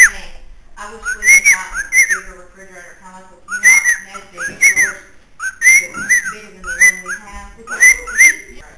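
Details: Pet bird kept upstairs in a house in Illinois, whistling repeatedly: short rising-and-falling whistled notes in pairs and small groups, with faint speech and room noise.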